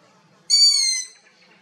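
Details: Young long-eared owl in Abruzzo, Italy, giving a single high, squeaky, drawn-out call lasting about half a second, thin and slightly falling at the end, against a quiet background.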